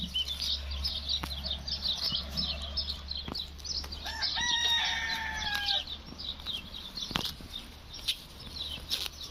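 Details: Rooster, presented as a talking rooster, gives a single crow of almost two seconds: a strained, harmonic note that slides gently downward, while busy high twittering from small birds runs throughout.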